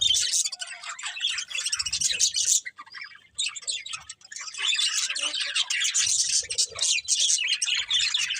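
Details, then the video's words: Birds chirping in the morning: a dense flock chatter of high, rapid twittering notes, briefly dropping away near the middle before resuming thickly, with faint low thumps underneath. "Birds Chirping Sounds In The Morning"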